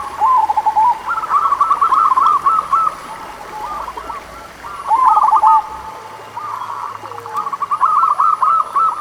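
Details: Zebra dove of the local type used as a song lure for slow-singing doves. Several loud phrases of rapid, rolling coos are separated by short lulls. A faint high whine comes and goes.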